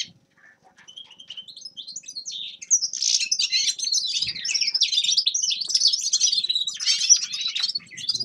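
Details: Grey-crowned goldfinch song: after a couple of seconds of faint, sparse notes, a dense, high, rapid twittering begins and runs continuously, with buzzy trills and sharp chirps mixed in.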